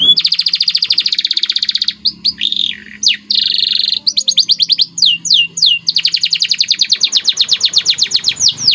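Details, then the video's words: Gacor masteran training song from a white canary: an almost unbroken fast rolled trill, briefly interrupted by whistled downward sweeps and buzzy phrases, then resuming as a rapid even chatter. "CANARY Gacor Cengkok Istimewa"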